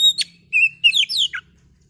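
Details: Kacer, or oriental magpie-robin, singing a lure song meant to stir birds up and get them calling: a sharp opening note, then a run of bright whistles that bend up and down and end in a falling slur, over a faint low hum.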